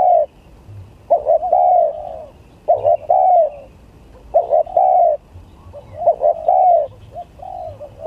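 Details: Spotted dove contest song of the gagap, tindan or klantan styles: four mellow cooing phrases about a second apart, each a quick stuttered note leading into a long, slightly falling coo, over a soft low background hum.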